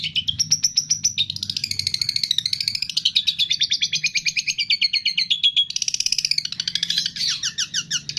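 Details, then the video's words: Continuous high-pitched medley from a long-tailed shrike imitating cililin, fighting sparrow, lovebird, tengkek and kapas tembak: a fast unbroken pulse of sharp chirps, shifting pitch now and then, ending with a few descending squeaky slurs. "MASTERAN CENDET ISIAN CILILIN, GREJA TARUNG, LOVE BIRD, TENGKEK, KAPAS TEMBAK"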